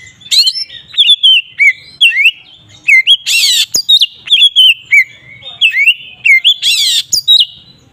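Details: Provocative ngeplong singing by a magpie-robin (kacer): fast, loud runs of upslurred and downslurred whistles, punctuated by a couple of grating harsh bursts.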